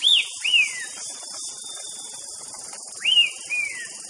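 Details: White-rumped shama giving clear whistled notes that rise briefly, then slide down. There are two pairs of notes with a gap between them, set against a constant high-pitched insect hiss.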